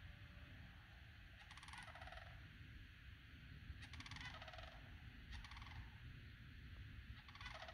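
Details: Pair of wild sandhill cranes near a home backyard giving four rattling, rolling calls, each trilled and harsh with a falling tail, repeated every one to two seconds over constant low-pitched rumble.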